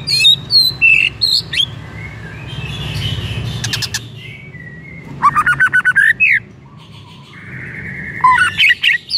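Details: White-rumped shama song used as a lure to set another shama singing: bright, varied whistled phrases, quick rising and falling slurs and short rapid trills in bursts, with a soft low hum beneath.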